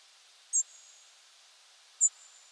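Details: European Robin flight calls from a group in nocturnal migration, early October 2022 at 4:20 at night; two very piercing, short, very high thin calls about one and a half seconds apart against quiet background hiss.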